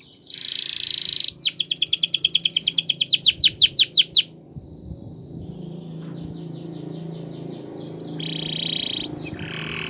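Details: Canary of the Gloster breed singing a training song: buzzy trill, then a long run of rapid repeated sweeping notes, later softer trills and buzzy phrases over low background hum.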